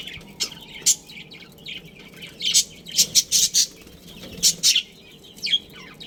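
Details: Pet budgerigar colony including a breeding pair: sharp, high chirps come in small clusters of two to four notes over a soft warbling murmur.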